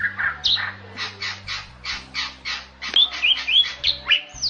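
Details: Rare Bali myna from Bali giving a masteran song: harsh, rhythmic squawks repeated several times a second, shifting to sharp rising whistles and squeaks toward the end.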